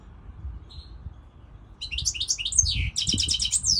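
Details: European goldfinch song: a faint thin note, then rising twittered chirps building into a rapid run of repeated tinkling notes, with soft low rustling beneath.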